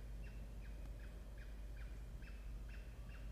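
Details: Wild peregrine falcon at a nest box in a water tower in Orange, New South Wales, Australia, October 2024, bringing small prey to chicks; repeated short harsh chipping notes roughly every half second over a steady low hum.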